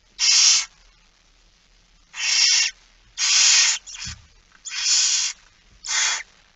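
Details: Recorded at a barn owl feeding, 06:57 on 13 September 2019: harsh hissing begging screeches of differing length, several close together, with a soft low bump midway.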